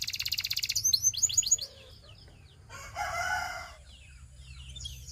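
A Belgian canary sings a fast, high trill that breaks into sweeping slurred notes. A brief raspy burst and scattered soft notes follow.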